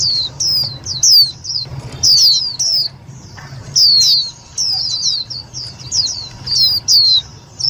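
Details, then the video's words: Indian white-eye luring call, loud and clear, for trapping and stirring up other white-eyes: sharp high descending notes in quick groups of two or three, with short gaps and a soft hum behind. "Tiếng chim vành khuyên mồi cực nhạy"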